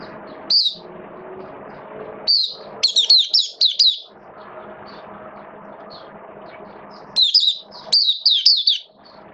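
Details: Oriental white-eye in a cage during rainy weather, 8 October 2022: scattered single chirps building into clustered, rapid, high twittering bursts, separated by quiet stretches filled with a low mechanical hum.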